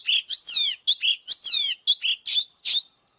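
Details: Oriental magpie-robin in fighting song, a rapid run of loud whistled notes with sweeping downward slurs and buzzy chirps, about two notes each second, clear and close.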